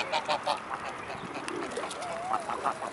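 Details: Mute swans in a crowd at Blaues Wunder, 25 May 2016, afternoon; rapid nasal honks in short clusters at the start and end, with a faint drawn-out wavering note between.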